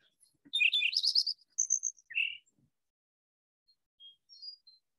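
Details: Lincoln's Sparrow song in Iowa: a hurried, bubbling jumble of high chirps and trills, reminiscent of a house sparrow, shifting pitch several times in under two seconds, then a few faint thin notes.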